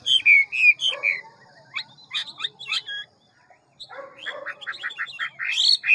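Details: Ngũ trường Hwamei, a large fine bird, singing a quick forest-voice song of many voices. Loud slurred whistles open, then scattered notes, a brief pause, and a rapid string of repeated bright notes.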